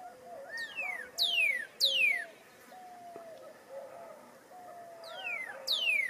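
Pyrrhuloxia giving loud, clear whistles that slur sharply downward, in two pairs about half a second apart, over faint lower warbling and soft background hiss.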